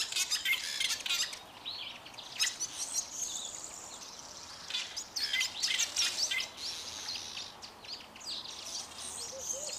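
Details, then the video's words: Fork-tailed Drongo pair singing together: a dense, fast run of harsh metallic chatters, scratchy buzzes and high squeaky notes tumbling over each other almost continuously. "Fork-tailed Drongos singing"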